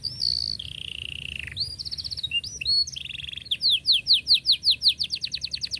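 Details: Canary song for young canaries to learn from: a high whistle, a long buzzy trill, short slurred phrases, then a fast rolling sequence of falling notes repeated over two seconds.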